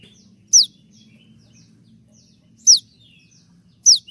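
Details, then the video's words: Three loud, high, sharply descending 'tembakan' shot notes from a konin singing despite moulting, spaced about one to two seconds apart with soft faint twitters between them. "dengan suara tembakan seperti ini pasti bikin kelas kicau koninmu melecit tinggi"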